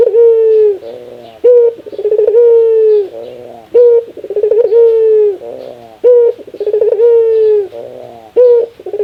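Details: Laughing call of a ringneck dove, described as its rarest sound: a short sharp rising note, then a rapid rattle of pulses sliding into a long level hoot, repeated about every two seconds.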